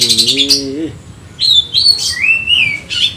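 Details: Oriental magpie-robin (kacer) from Indonesia, agitated and seeking a rival, gives clear whistles, including a long rising-falling slur and a few sharp notes, after a brief low wavering tone at the start.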